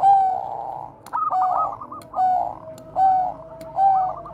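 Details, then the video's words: Bangkok-type zebra dove giving its bekur koar-koar cooing, used as a lure for training other doves: mellow, tonal coo phrases repeated about every second, each with a clear held note and a buzzy trill, over faint low background hum. "perkutut BANGKOK BEKUR KOAR-KOAR bagus untuk PANCINGAN PERKUTUT"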